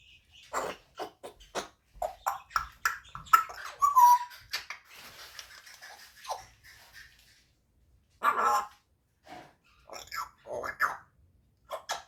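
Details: An 8-month-old male African grey parrot, learning to talk and starting to mimic sounds, chatters in short bursts of speech-like sounds with a few falling whistled notes in a small indoor room.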